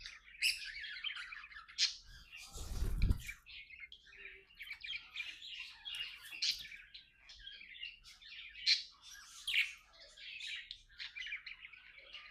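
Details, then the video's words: Two tame pet budgies, companions, talking and playing together. They give a continuous scratchy warbling chatter of rapid chirps, clicks and squeaky notes with no pauses, broken once by a loud low thump near the third second. "Budgie Best Friends Talking, Playing and Singing"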